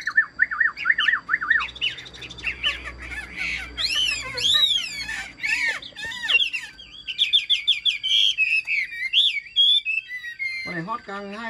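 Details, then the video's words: Caged Chinese hwamei in full song: loud, varied whistled phrases with slurred rising and falling notes, quick trills and abrupt changes of motif every second or so, ending in a lower chattering burst. Faint low hum and soft human voice underneath. "Hm 2896 - Bóng bộ đẹp, lông xanh mắt méo, hót tốt bài bản"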